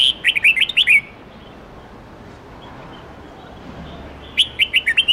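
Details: Red-whiskered bulbul with a many-voiced, wild-standard song of 8 to 10 notes, used for teaching young birds; a rapid warbled phrase of chirpy notes opens, then a long pause before a second similar phrase begins.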